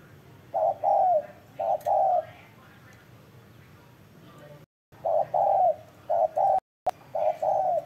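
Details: Spotted dove cooing: short low hollow notes in quick groups of two or three, each group separated by a pause, repeated steadily through the recording with faint background hiss.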